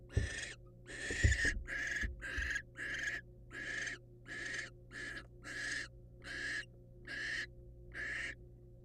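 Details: Barn owls, wild, in a nest box during a mouse delivery by the male to the female: a dozen rough, wheezy hisses spaced evenly, each under a second, with bumping at the start and faint background hum.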